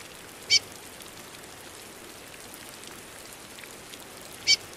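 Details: A female Chestnut-bellied Seed-Finch calling in the rain gives two short, high chip notes about four seconds apart, over a steady hiss of rain.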